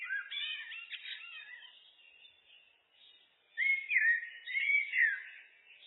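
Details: Common blackbird, looped recording: a scratchy, chattering twitter opens, followed after a short gap by a loud, rich fluting phrase with smooth downward slides. Nothing else audible.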